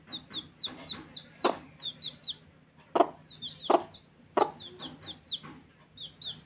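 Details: Baby chicks chirping while playing: a quick run of short, high, downward-sliding peeps, often in pairs or threes, broken by several sharp knocking or tapping sounds.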